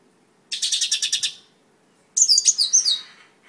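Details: Mongolian lark singing: a burst of about ten rapid, buzzy, high notes, a pause, then a second phrase of sharp, slurred whistles mixed with a dry trill. The background is quiet.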